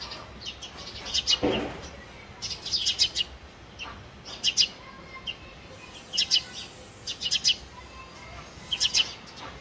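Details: House sparrows give bursts of sharp, high chirps in quick clusters every second or two, an excited squabbling chatter over a low background hum, while nest-building and fighting over a nest in a house.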